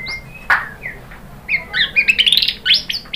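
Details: White-rumped shama song used as a lure to provoke other birds to sing: scattered clear whistles near the start, then a quick run of bright, rising and falling whistled notes climbing in pitch, with a final sharp note.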